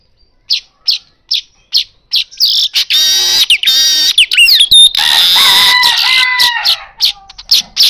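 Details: Asian golden weaver song played as a lure for other birds: spaced sharp chips at first, then a dense burst of harsh, buzzy chattering and wheezy sliding notes, ending with a few more scattered chips.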